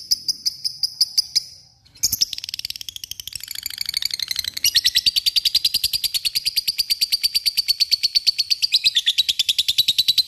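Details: Lovebird giving ngekek, a long trill used to call an opponent and provoke others to sing: a short trill and brief pause, then a dense, rapid, high chattering trill sustained for about eight seconds.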